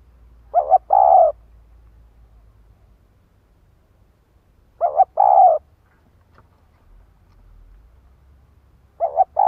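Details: Female spotted dove calling to provoke a male: a short stuttered double note followed by a longer, mellow hooting coo, the phrase repeated about every four seconds over a quiet background.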